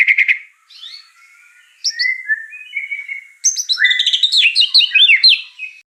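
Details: White-rumped shama delivering full fill-in song: quick opening notes, smooth falling whistles, then a busy tumbling sequence of varied chirps and slurred whistles.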